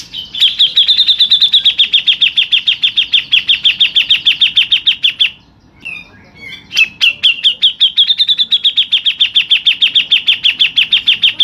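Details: Grey-cheeked bulbul, local type, in long rolling 'ngerol' song: a sustained run of quick, bright repeated chips on a steady high note, broken by a short quiet gap with a few soft notes before another long chipping roll.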